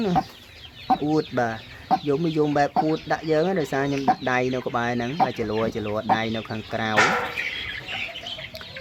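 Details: Caged decoy waterhen, hand-raised and calm around people, calling out as its keeper reaches toward it. Rapid series of deep, nasal, honking notes runs through most of the recording, mixed with male speech, and ends with a rustle.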